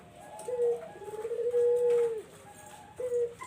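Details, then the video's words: Barbary dove call played as a lure for zebra doves: a short low coo, then a long, smooth, drawn-out purring coo, and another short coo starting at the end. "SUARA BURUNG PUTER BUAT PANCINGAN BURUNG PERKUTUT"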